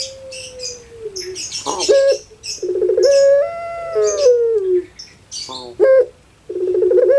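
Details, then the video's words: Caged puter pelung dove from Java, Indonesia: a long sliding tone, then a raspy burst and a swelling drawn-out wail that falls away, with other small birds chirping sharply in the background. "KAGET PARAH DENGAR SUARA BURUNG INI SEPERTI ANAK MENANGIS"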